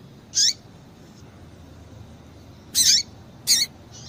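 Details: Three crisp, high chip notes from a female double-collared seedeater, one followed by a long pause and then two a little over half a second apart, a call used to set the male singing; faint hiss underneath.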